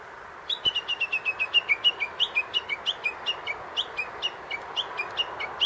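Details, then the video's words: Japanese bush warbler calling from a tree near a grave, giving a quick run of sharp, high chirping notes, about four a second for five seconds, over a steady rushing hiss. "ウグイスの鳴き声が - Japanese bush warbler -"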